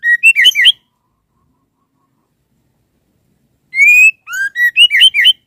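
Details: Female white-rumped shama's call to the male: two phrases of bright whistles, the second opening with a long upslurred note, then a lower downslur and a fast jumble of twisting notes. Silent gaps between.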